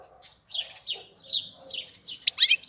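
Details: April bird song: twittering, buzzy warbled notes in short groups, building into a fast, louder run of sharp chirps and a descending whistle.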